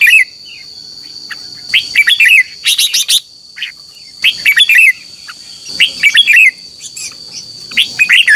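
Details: Red-whiskered bulbul, morning contest song used as a lure for training caged birds: repeated clusters of quick, liquid, warbled whistles and sharp chips, separated by short pauses, over a faint steady high hum.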